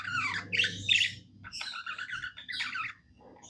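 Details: Pet budgerigar singing happily, a rapid chattering warble of scratchy, buzzy notes and squeaky chirps that rise and fall in quick bursts, over a steady low electrical hum.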